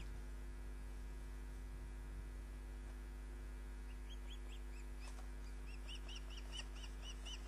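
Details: Osprey calling at the nest, recorded by a live nest camera on 29 June 2010 at 22:34. Repeated high, sharp whistled chirps begin midway and quicken into a fast series under a constant electrical hum.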